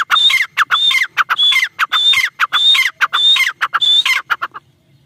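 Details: Female black francolin, known locally as teetar, calling in a loud, harsh series of grating phrases, each with a high whistled note, repeated roughly every half second and ending in short clipped notes.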